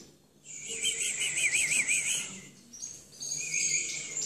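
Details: A Timbrado canary in a singing contest rolls out a fast wavering trill, bubbling up and down in rapid pulses for about two seconds. Higher, steadier whistled notes follow.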